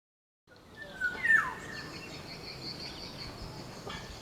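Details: Wild black-naped oriole (Oriolus chinensis), a bird now hard to find in nature, giving one short fluty whistled phrase that climbs briefly then slides downward, over a steady hiss of outdoor background noise.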